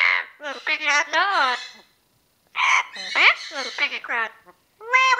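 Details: Pet female Amazon parrot, ten years old, producing word-like phrases: bursts of rich, rising and falling harmonic syllables separated by a brief pause, alongside a person's voice.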